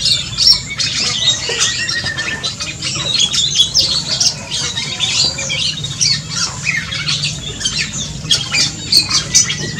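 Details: Black-and-crimson Oriole in an aviary, recorded on request to document its call, giving harsh, high squawks in rapid, uneven bursts with scratchy chatter running almost without pause.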